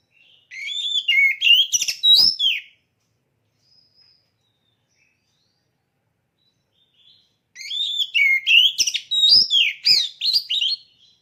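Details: Caged oriental magpie-robin prepared for a singing contest gives two bursts of rich song, each about two seconds of varied whistles, slurred notes and buzzy trills, separated by a long silent pause.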